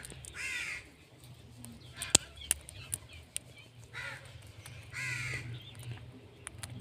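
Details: Indian ringneck parrot calling with four harsh, buzzy screeches spaced irregularly, separated by quiet stretches with sharp clicks.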